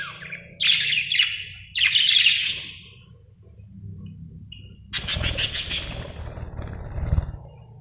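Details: Happy budgerigar chirping: bursts of bright, high chirps in the first three seconds, a quiet pause, then a fast, scratchy chatter of rapid notes with soft low background rumble.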